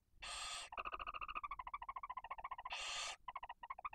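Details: Barn owls in Cabañeros National Park, Spain, at the nest as the female feeds her two young chicks: two long broad hisses framing a rapid, even chittering series of short ringing pulses.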